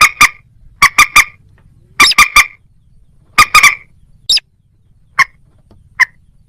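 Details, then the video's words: Moorhen, perhaps together with a little crake: sharp clucks in tight clusters of two and three, then a thin rising squeak and a few isolated single clicks spaced about a second apart, fading out. "ডুংখোর পাখি ও খেনি পাখির ডাক(moorhen @ little cracked bird sound)"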